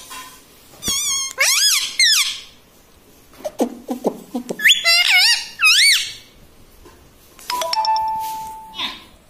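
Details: Indoor pet parrot mimicking speech such as mummy; wavering, trilled, harmonic syllables in short runs, then a steady flat squeaky tone near the end.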